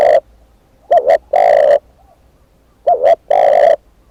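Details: Spotted dove kept as a decoy bird, cooing: a clipped end of one phrase, then two full phrases, each a quick doubled note followed by a long, steady, low coo, with quiet pauses between.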